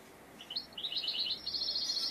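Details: European goldfinch singing during a trapping session: a fast, liquid twittering phrase of bright high notes that starts in short chirps, then runs into a continuous trilling warble and sustained high tone.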